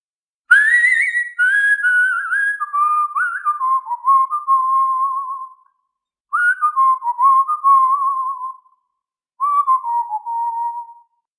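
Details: A cockatiel gives warbling whistled phrases that slide downward and settle into a steady, wavering tone while preening another cockatiel, which seems to enjoy it.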